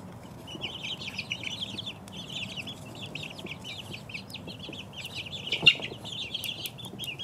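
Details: Two-week-old chicks peeping as a group: dense, overlapping high chirps, many short downslurred notes, continuous with no pauses; one sharp click near the end.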